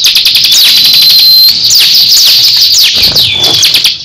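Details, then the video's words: Crescent-chested babbler in a heated song contest with another bird: very fast high ticking trill under a steady thin whistle, then scattered downward sweeps and chips. "Duel sengit cikris vs cisem saling adu gaya"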